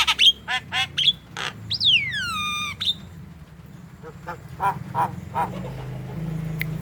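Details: Javan myna vocalising to stir young or sluggish mynas into song: clipped harsh notes, then a long, loud whistle sliding steadily down in pitch, followed by faint scattered chatter.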